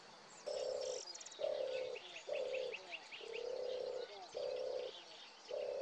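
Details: European turtle dove recorded with a Nikon Coolpix P1000: six low, deep purring phrases of about half a second each, repeated roughly once a second, with thin high chirps of other birds behind.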